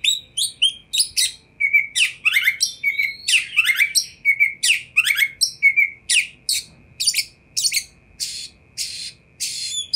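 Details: Continuous Oriental magpie-robin song meant to make other magpie-robins respond: fast strings of sharp chirps, rasping buzzes and short whistles, tightly packed at first and thinning toward the end, over a faint low hum.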